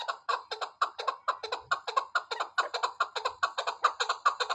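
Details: Chukar partridge giving a fast run of hoarse, evenly spaced chuk-chuk clucks, a little over two per second, each note short and throaty.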